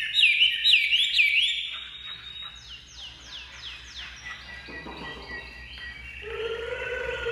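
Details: Chinese hwamei kept in a cage, singing right after being uncovered: loud looping whistled notes, then a series of quick downward-sweeping phrases repeated about four per second, and a few lower drawn-out tones near the end.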